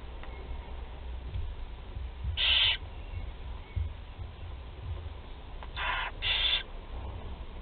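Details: Four young barn owls being fed at their nest in Théding, 16 July 2020; three harsh, hissing screeches, one alone and then two close together, over low background rumble.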